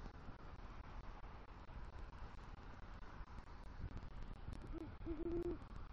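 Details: Male great horned owl at the nest at night in southwest Florida, 3 November 2023, gives deep, soft, low muffled hoots after bringing rodent prey, calling for the female; steady rumble of background noise.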